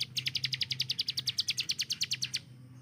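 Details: Short rapid-fire volley from a hill prinia used as a contest-training bird: about twenty crisp, high chips in two and a half seconds, then it stops abruptly.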